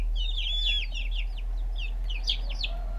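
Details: Backyard chicks eating, captured on a GoPro: bright, high trilled peeps and slurred cheeps from a small group, tightly packed in bursts, over a constant low background hum.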